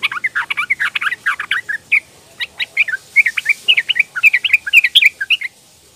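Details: Sooty-headed bulbul, a young female calling males, recorded as a lure for silent males: dense bursts of bright chattering chirps, then spaced sharper notes and quick trills before falling quiet near the end.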